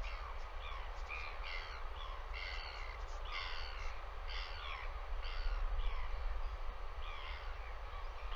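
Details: Live nest-cam recording of a northern royal albatross in New Zealand: a rapid run of rasping, harmonic squawks and brays repeated many times, with steady deep wind rumble beneath.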